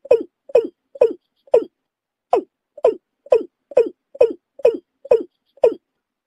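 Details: Watercock call used as a lure for bird hunting: a steady series of short, hollow, dropping 'kok' notes, about two per second, with one brief pause, against complete silence.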